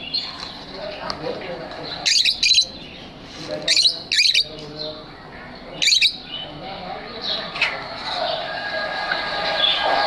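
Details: Lovebirds in a pet aviary give shrill, harsh squawking bursts every couple of seconds over a constant high, twittering chatter from many birds, with faint background music.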